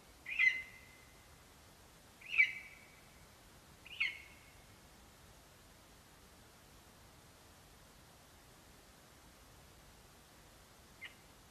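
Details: Male lesser spotted eagle at the nest on 11 September 2021, bringing a vole and calling for his mate: three sharp, high yelping notes about two seconds apart, then a faint fourth note near the end, over quiet background.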